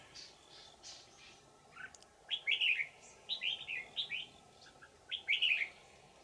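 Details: Wild old forest red-whiskered bulbul, trapped with a decoy on 20 December 2018, sings in a bell-like twisting style: bright warbled phrases of quick rising and falling notes in bursts, over a steady faint background hum.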